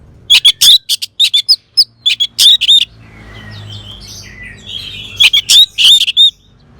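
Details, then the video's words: Orange-headed thrush singing in two bursts of rapid, high, piercing notes and squeaky whistles, separated by a quieter pause with soft warbling in the background. "Terap1 Suara ANIS MERAH Macet Bunyi Agar Mau Kenceng Dengar Kicauan Ini."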